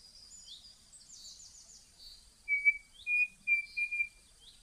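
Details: Brazilian Cerrado birds: high descending trills and chirps, then four clear, level whistled notes in a quick run.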